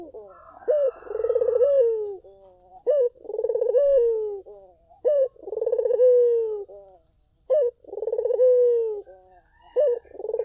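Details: Collared dove song played to lure other doves, repeating about every two seconds: a short emphatic coo followed by a long rapidly pulsing coo that slides down, cycled four times in a steady rhythm.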